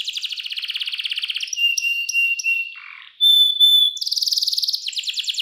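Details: Clear-voiced canary performing 'cengkok mewah' master song meant for tutoring juvenile canaries: long rapid trill, steady pure whistled tones, a brief rasp, a loud high whistle, then fast buzzy rolling trills.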